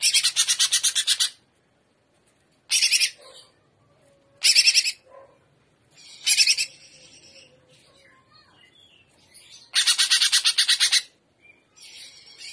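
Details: Greater green leafbird (cucak ijo) in full trotolan song, gaya udang style: long loud bursts of rapid pulsed rattling separated by short pauses, with soft chips between the bursts.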